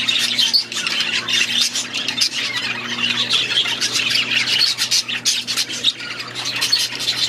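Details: A flock of budgies in their aviary chattering nonstop, a dense mass of scratchy warbles and squeaky squawks over a faint steady electrical hum.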